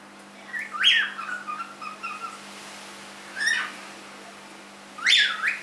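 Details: Three-month-old pet cockatiel giving three loud whistled calls, each rising sharply then falling, spaced a few seconds apart, with softer warbling notes between the first two in a quiet room.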